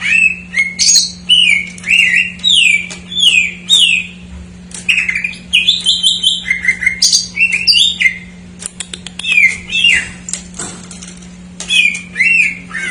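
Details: Greater green leafbird in a dense jamtrok-filled song meant to spur untrained or silent birds into singing: nonstop mix of sweeping whistles, quick up-and-down slurs and short chattering bursts, with brief pauses between phrases.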